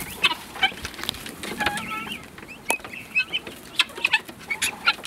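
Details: Several helmeted guineafowl on their first time outdoors chatter in short, harsh, clicking bursts with a few brief whistled notes, calling over one another at an irregular, busy pace.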